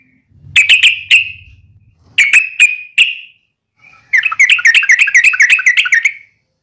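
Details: Yellow-vented bulbul's fighting call (uplik tarung), used to provoke other bulbuls into answering: two groups of sharp chips, then a fast rolling chatter lasting about two seconds.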